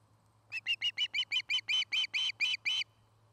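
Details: Nesting osprey in Charlo, Montana, on a nest camera, giving about eleven clear whistled chirps in quick succession, each note growing slightly longer and louder; constant low electrical hum behind.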